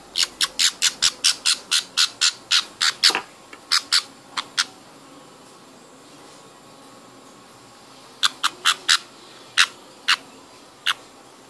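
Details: Baby budgies during hand feeding give a quick series of harsh, rasping begging squawks, then fall quiet before a few sparse, scattered calls.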